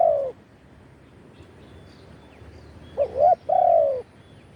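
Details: Spotted dove song recorded live as a lure for wild doves: a falling coo at the start, a long pause, then a stuttered double coo and a longer drooping coo.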